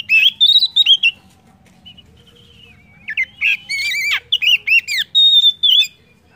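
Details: Song of the Oriental magpie-robin, kacer, played to stimulate other birds to sing: quick whistled phrases, a quiet gap with faint thin notes, then a long energetic string of varied chirps, slurs and sweet whistles.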